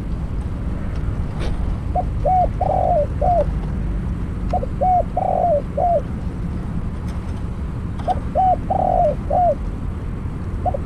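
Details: Spotted dove decoy for trapping, calling three times: each phrase has two short hollow coos, a longer rolling croo, and a final falling note, spaced a few seconds apart over soft outdoor noise.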